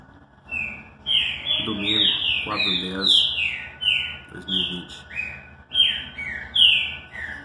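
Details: Green-winged saltator (trinca-ferro) sings its classic song, a run of rich, clear whistles, each slurring downward, about one per second, with low human voices murmuring in the background.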